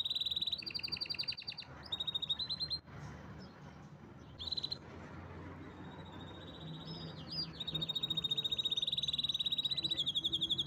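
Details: Canary in powerful song, delivering fast high trills of rapidly repeated notes, a quiet pause broken by one short burst, then a long sustained rattling trill with brief upslurred whistles.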